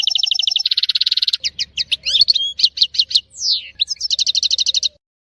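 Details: European goldfinch song from Tissemsilt, opening with a fast, even, buzzing trill, then jumbled liquid twitters and a falling slur, ending in another rapid trill.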